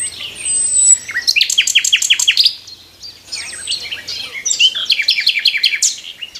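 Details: A nightingale sings in a tree in the morning, two bursts of rapid repeated down-slurred chattering notes separated by a short pause, loud and clear.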